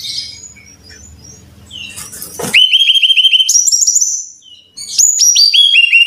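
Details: Brown-chested jungle flycatcher song used as a lure to prompt caged birds to sing readily: after a low murmuring start, a sudden run of bright, quick downslurred whistles, then a higher series of ringing, slurred notes stepping down in pitch.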